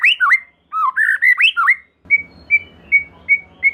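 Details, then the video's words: White-rumped shama lure song to make another shama sing: looping varied whistles, then five short clear whistled notes repeated evenly. "Silahkan Coba Video Pancingan Murai Batu Gacor Ini, Murai Bahan Pasti Bunyi || Voice of Murai Batu"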